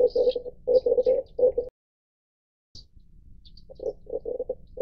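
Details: Red collared dove calling in short bursts of throaty, purring pulses, broken by a silent gap of about a second, then resuming more softly; faint high twittering of small birds above.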